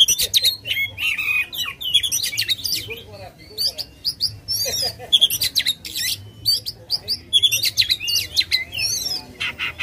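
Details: Oriental magpie-robin singing aggressively, tail fanned; a lure to make a silent bird sing. Rapid, varied phrases of clear whistles, trills and sharp notes fill the stretch with short pauses.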